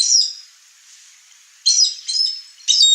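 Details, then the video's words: A wild chestnut-eared aracari in a Brazilian Cerrado yard utters a shrill squeak, a pause, then two more rasping high notes close together. "O Canto do Araçari castanho"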